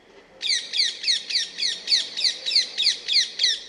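A rose-ringed parakeet gives a rapid series of harsh, shrill screeches, about three per second, each one sliding downward in pitch.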